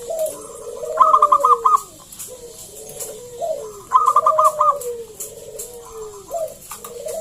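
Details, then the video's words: Zebra dove, local bird, singing steadily, used to prompt other doves to call. Repeated phrases every few seconds, each a burst of rapid staccato trilled notes over a soft descending coo. "PERKUTUT GACOR SUARA PALING AMPUH UNTUK PANCINGAN BUNYI BURUNG PERKUTUT AGAR NYAUT GACOR"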